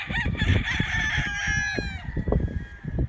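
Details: Rooster crowing among chickens, overlapping long crows fill the whole stretch, the last one tailing off into a falling note, with a heavy low rumble beneath.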